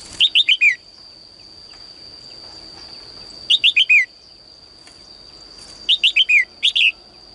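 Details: Female bird singing in a cage in the morning, calling males to sing more; three bursts of four or five quick, down-slurred chirps, each burst about three seconds apart, over a constant thin high-pitched whine.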